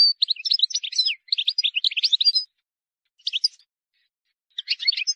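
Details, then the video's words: Wild European goldfinch singing a rapid, twittering run of high, jumbled chirps and trills, with a short burst after a pause and another bout at the end; a song meant for teaching young birds. "غناء حسون بري خالي من الاخطاء لتسميع الفراخ"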